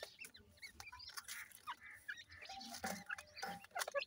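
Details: Young francolins (dakhni teetar) in Punjab, Pakistan: several chicks cheep softly with brief upslurred notes, overlapping and irregular, over scattered taps and a low background rumble.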